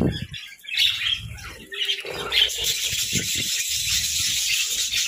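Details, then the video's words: Budgies snacking on grass and moringa in winter keep up a busy, high-pitched warbling chatter that swells after a brief lull, while dull crunches of chewing and pecking sound underneath. "Budgie Serenade Amidst Moringa Munchies!"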